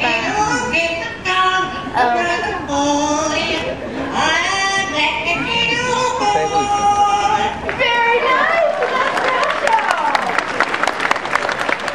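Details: A parrot at Wild Animal Kingdom, Disney World, Orlando, sings "How Much is that Doggie in the Window" and "Yankee Doodle" in a voice-like, harmonic warble before an audience that chatters and exclaims; it knows seven songs.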